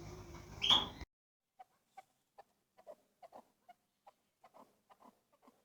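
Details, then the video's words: A chukar gives a run of soft, low clucking chuck notes, about two or three a second, after an opening second of loud rushing noise. "Keklik Sesi • Chukar bird sound • Chukar bird Awaz"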